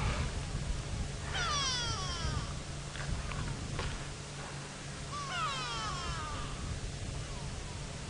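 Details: Grey go-away-birds, three perched atop a tree at Djuma Game Reserve, Sabi Sand, South Africa, on a dry, dusty, hot afternoon, 13 September 2017. They give two drawn-out, nasal, descending wailing calls about four seconds apart over vehicle engine rumble.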